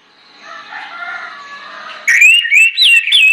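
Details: Orange-headed thrush singing as a lure to set other birds singing, in 'ngeplong ngotot' style: soft, low chattering warble at first, then a sudden loud run of clear, sliding whistled phrases.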